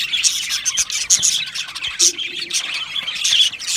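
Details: Crowded chirping from an aviary of Australian budgies, with high chattering notes and sharp squeaky calls bursting over a continuous warbling background.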